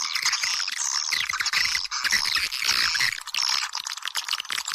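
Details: Swiftlet house lure sound, a thick chorus of rapid twittering calls, buzzy chirps and sliding whistled notes that overlap without pause.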